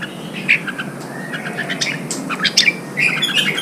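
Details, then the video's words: Red-whiskered bulbul in Vietnam, a fresh wild-caught bird being prompted to sing and trained for contest singing. Scattered short, bright chirps and warbled notes come in loose bursts, the last second busier, against steady low background noise. "Kích chào mào bổi hót, kích bổi sổ giọng, luyện chào mào hót đấu"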